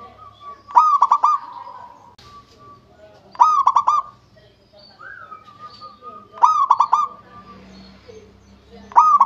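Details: Local zebra dove song: a loud rolling phrase of rapid stuttering coos repeated about every two to three seconds, with a softer sustained cooing hum between phrases.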